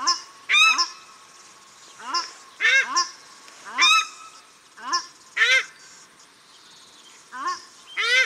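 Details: A male and a female paradise shelduck at Cornwall Park, Auckland, New Zealand give loud, harsh honking calls in short bursts. There are about seven or eight in eight seconds, some lower and some higher, over a faint hiss.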